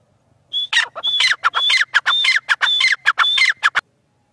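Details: Francolin calling loudly in a fast harsh series: each phrase opens with a high whistled note, then falls away in raspy, clucking notes, repeated about seven times in three seconds before stopping abruptly.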